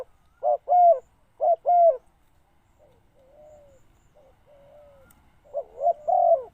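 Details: Wild birds are lured by a decoy spotted dove giving low two-note coo phrases, two close together, then a softer, more distant cooing, then a final louder phrase.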